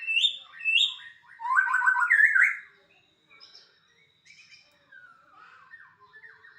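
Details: White-rumped shama delivering loud, punchy whistled phrases and a harsh trilled burst, then trailing into faint, softer twittering notes in a quiet space.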